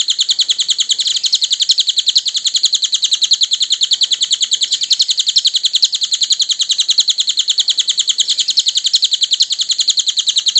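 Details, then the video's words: A cililin sings a long run of bright, high chirps used as a training recording for other songbirds. The notes repeat rapidly and evenly, roughly three to four per second, in an unbroken, slightly wavering stream. "Masteran Burung cililin"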